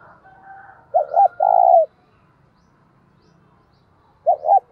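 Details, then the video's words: Decoy spotted dove used to provoke fighting, giving a low mellow phrase of two short hooting notes and a sustained coo, then the opening notes of a second phrase; a faint thin whistle and soft rustling come before it. "Chim Cu Mồi - cu gay kich boi nhanh noi gù hieu quả, cu gáy thúc đấu"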